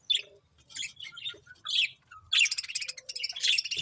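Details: Budgies chirping: sharp high twittering notes in short clusters, then a busier run of overlapping chirps and warbles toward the end.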